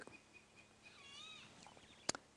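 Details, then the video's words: A Golden-tailed Woodpecker at dawn on June 23, 2016 in northeast South Africa, under a grey sky, gives a faint, drawn-out nasal wail that wavers and slides downward, almost cat-like, then a sharp click over soft hiss. "there's the sound of the golden tailed woodpecker"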